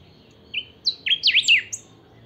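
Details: Saffron finch, a kept bird of the pica song style, singing hard; one phrase of a few short whistled notes, then quick rising and falling sweeping trills, high-pitched and brief, over a quiet background.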